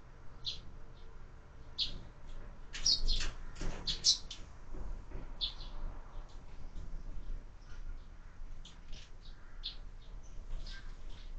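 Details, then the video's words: Sparrows feeding at window-mounted feeders at lunch: scattered thin, high chirps and short tweets, a few sharper notes early on, over a steady low rumbling background. "Воробьи в кормушке - Обед"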